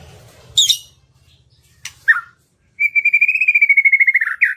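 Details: White-rumped shama lure song, played to stimulate reluctant birds to sing: a few sharp high notes, then a long run of rapid, evenly repeated whistled pulses gliding slowly downward, ending in a brief squeaky phrase.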